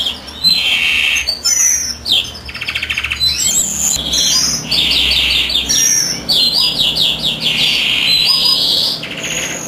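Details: European greenfinch male in full song as the female sits on eggs: loud, continuous twittering with fast rattling trills, repeated chirps and ringing slurred notes, one long buzzy stretch midway.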